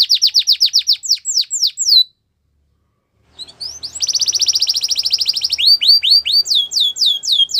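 A Belgian canary sings bright, high downslurred notes repeated about four a second, pauses, then breaks into a fast rolling trill and more sweeping phrases.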